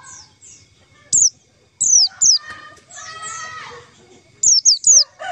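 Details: White-eye lure call used for trapping white-eyes: very high, thin, sharply falling chips given singly and in quick pairs, with a brief burst of lower, rougher sound in the middle.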